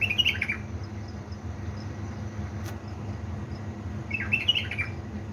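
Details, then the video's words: Bulbul from Balad Ruz, Diyala, Iraq, singing in the early hours at 3 am: a lively warbled phrase opening the clip and another near the end, with a low mechanical hum and one faint click between. "أجمل واحلى تغريد من طيوري علاوي نهروان من بلابل ديالى بلدروز"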